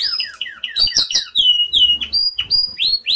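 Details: Canary song to stimulate other canaries to sing: varied, sharply whistled notes, each sliding downward, in quick series with short chirps between them. Faint low clatter sounds in the background.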